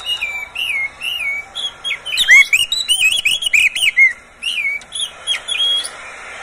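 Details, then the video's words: Caged Oriental magpie-robin singing, recorded by its owner as a prompt to make other magpie-robins sing; sweet undulating whistles at first, then a dense run of warbled slurs and clicks, ending in spaced whistled phrases. "SUARA BURUNG KACER, cocok buat pancingan Kacer pagi, siang, sore"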